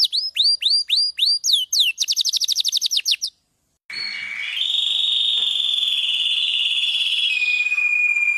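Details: Canary, used as a training song for other birds, sings looping downward whistles and a fast high roll for three seconds; after a pause comes a long steady high tone over hiss.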